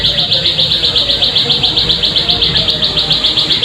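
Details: Plain prinia call played as a lure to get birds singing: fast, evenly spaced, high buzzy notes repeated about four times a second in an unbroken train over a quiet low rumble.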